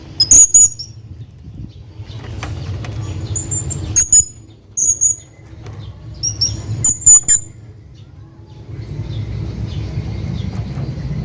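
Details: A hanging parrot calls his friend with bursts of shrill, very high tonal squeaks, some doubled, spaced irregularly through the first half. Quieter stretches follow, with a low rumbling background.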